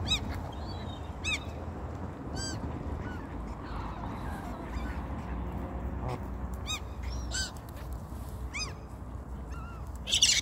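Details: Geese calling at feeding time among ducks: scattered honks and nasal calls rise at irregular intervals above a constant low rumbling background.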